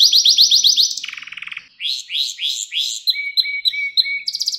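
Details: Pet canary singing, recorded as a model for young canaries: fast rising trill, a buzzy descending rattle, slower swept notes, and a row of short flat whistles.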